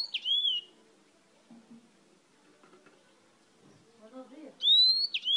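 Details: Yellow-fronted canary brought from Spain, singing: a bright whistled note sliding downward opens the clip, a quiet gap with faint low background murmur follows, then two more clear whistled phrases near the end.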